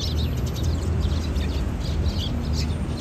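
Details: Sparrows chirping on 15 March 2022: quick, bright chirps come in loose clusters from several birds at once, over a constant deep hum of ambient noise.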